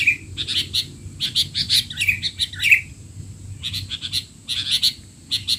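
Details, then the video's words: Excited sooty-headed bulbul chatter, noisy, for young bulbuls to learn from; clusters of bright chirps mixed with squeaky twisting notes, separated by short gaps. "burung kutilang teler!! suara ribut paling cocok untuk kutilang bahan"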